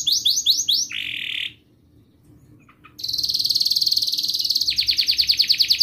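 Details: Continuous gacor canary singing, meant to coax young birds and stalled singers into song. Quick looping phrases end abruptly in about a second and a half of near-silence, then a dense buzzy trill resumes and shifts to slower swooping notes.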